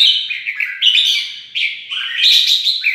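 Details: Red-whiskered bulbul (Pycnonotus jocosus), song: singing in competition against a rival when provoked.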